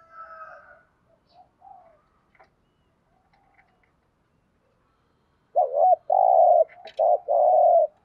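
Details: After a few seconds of faint, scattered background sounds, a spotted dove gives a loud phrase in the thúc gù cooing style: a quick wavering note followed by two long, low, steady coos.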